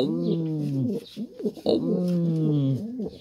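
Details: Two sustained, deep coos from a racing pigeon, each close to a second and slightly falling at the end, separated by brief soft rustling.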